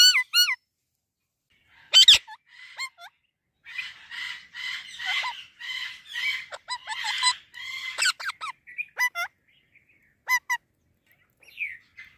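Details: Indian parrot talking in a mix of clear whistled notes and rasping, speech-like chatter, with sharp squawks between phrases and a falling whistle near the end.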